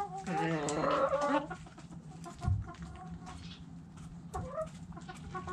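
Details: Backyard chicken coop hens: a burst of rapid, loud cackling clucks in the first second and a half, then scattered soft clucks, a low thump and a background hum.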